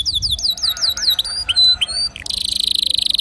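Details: Canary song meant to encourage other birds to sing: a short run of repeated rising whistled notes, a few clear chirps, then a fast buzzy trill.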